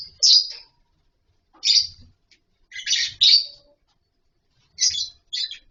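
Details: Colony of lovebirds housed with wooden nest boxes and mud bowls; high, harsh chirps in spaced bursts, some paired, with brief quiet stretches and faint low thumps between calls.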